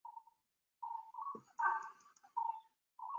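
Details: In the Central India tiger landscape, a Brown-cheeked Fulvetta gives short, mellow whistled "proof proof" notes at a steady pitch, about one per second, with a brief harsher burst from another bird, a barbet calling, in the middle.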